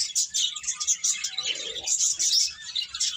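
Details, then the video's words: Crowd of birds twittering together, shrill busy chirps pouring out without pause, a brief lower murmur rising midway. "Cute Birds Chirping Sounds"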